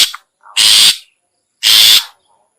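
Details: Two separate harsh, noisy rasps, each under half a second, spaced about a second apart; a long-tailed shrike call used to lure other shrikes.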